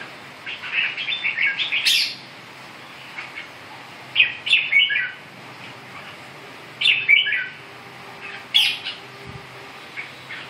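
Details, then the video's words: Red-whiskered bulbul delivering four separate phrases of quick chirpy whistles, each a rising-and-falling cluster with a sharp high note, spaced by pauses of about two seconds. "Kênh về chim Chào mào"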